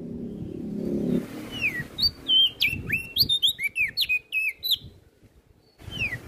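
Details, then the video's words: Lively song of an olive-backed tailorbird, kept as training material for other songbirds: a low rumble fades, then a quick series of high, swooping whistles, a pause near the end, and one last falling note. "Burung Prenjak Daun Gacor"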